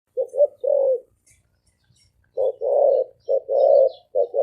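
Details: Spotted dove cooing: low, soft hoarse coos in short phrases, a brief note or two followed by a longer drawn coo, with a pause of over a second between phrases; faint high chirps from other birds in the background.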